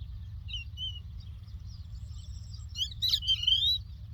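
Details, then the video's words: Lark tweeting in the Doukkala countryside. Brief clear whistles open, followed by a dense, jumbled rush of high, rapid notes. A soft low rumble continues throughout. "The Lark Tweets صوت الطبيعة: تغريد القبرة"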